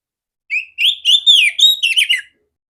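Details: Female oriental magpie-robin with a large, clear voice, used as training song for other magpie-robins. One phrase of linked whistles: a short opening note, then smooth rising and falling slurs, ending in a quick warble before silence.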